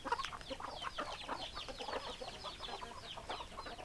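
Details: A noisy chicken flock of hens and roosters gives overlapping clucks and quick falling peeps. The calls are crowded together throughout, with no pause.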